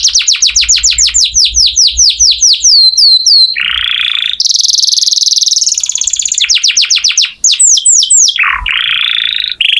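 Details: Canary singing hard as tutor song for oriental magpie-robins: a long run of quick descending whistled sweeps, a buzzy stretch, a very high rattling trill, more sweeps and a closing buzz.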